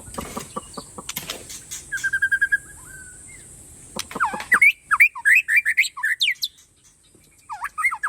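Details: White-rumped shama of the Aceh Tangse type, said to be singing a rich mix of phrases: scattered clicks and a short trill, then loud varied whistled notes, sweeping up and down in quick bursts, over a steady high hiss.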